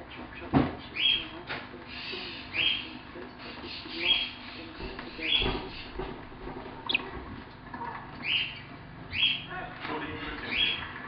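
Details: Pet female Bourke's parrot, a quiet bird, chattering softly indoors: short high chirps and squeaks roughly every second, over a constant low background hum.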